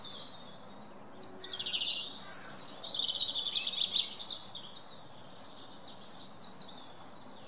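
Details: Wren song, somewhat distant and softer, a rush of high sharp notes and a rattling trill for about four seconds over steady background hiss, then fading to scattered faint high chips.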